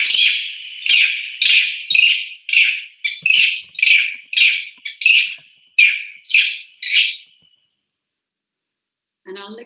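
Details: A greater racket-tailed drongo mimics a macaque-like call with harsh, buzzy, high chattering notes, about two a second for seven seconds; a brief voice follows.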